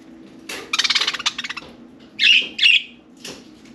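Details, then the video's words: Four pet budgerigars playing and talking in and on their cage: a quick run of rapid clicking, ticking notes followed by two loud scratchy warbled chirps and a fainter one, over a steady low hum. "Budgie Birds Having a Good Nice Day!"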